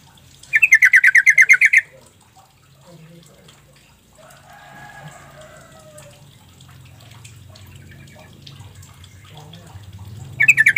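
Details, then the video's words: Sooty-headed bulbul call used as a lure to make quiet birds answer: a fast chattering burst of about a dozen sharp notes, then a long quiet stretch with faint murmuring, and a short burst again at the end. "Trucuk bahan ombyokan bakalan nyaut dengan pancingan trucuk ini"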